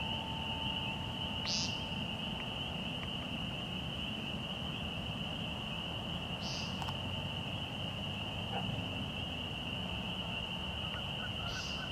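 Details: American woodcock peenting at dusk, about 6:20 pm in March, near Fresh Pond, Delaware Seashore State Park. Short buzzy nasal notes come roughly every five seconds over a steady, shrill, high-pitched background tone and heavy low rumbling noise.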